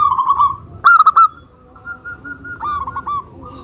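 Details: Local Indonesian zebra dove singing as a lure for other doves: a soft rolling coo, a loud burst of quick coo notes near one second, then quieter trilled cooing.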